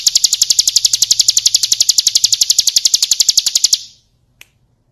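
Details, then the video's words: Ciblek kristal (Bar-winged prinia) song for training songbirds: a rapid run of sharp, high, evenly spaced notes lasting almost four seconds, then it fades into silence with one faint click. "Masteran Suara Burung Ciblek Kristal"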